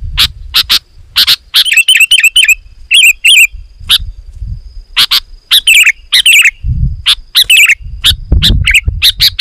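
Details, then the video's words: Sooty-headed bulbul song played to lure wild birds closer: rapid sharp chirps and short warbled phrases repeating in quick bursts, with low rumbling background noise. "Suara Burung KUTILANG GACOR, Rapat dan Lantang Burung Kutilang Liar Auto Emosi dan Mendekat"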